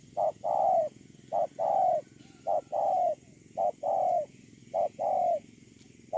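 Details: Decoy spotted dove on the ground, 8 October 2018, cooing steadily: paired notes, a clipped hoot followed by a longer falling coo, repeated about five times at roughly one-second intervals.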